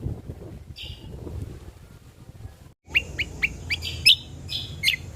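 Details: Ruby-throated bulbul recorded for luring and tutoring songbirds: a faint early note, a near-silent pause, then a lively string of sharp, down-slurred chips and bright whistled notes over low background murmur.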